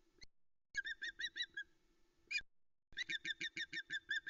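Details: An adult female osprey at the Loch Arkaig nest, 26 Aug 2020, afternoon, gives rapid, high, whistled chirps in two bursts, about eight notes a second, with a few sharp knocks. She lands shouting as the male brings a live mackerel.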